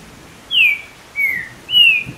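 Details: Green-winged saltator, the trinca-ferro, singing against background rain used as stimulus, over ten songs per minute; three strong whistled notes, first and second falling, the last long and nearly level, evenly spaced.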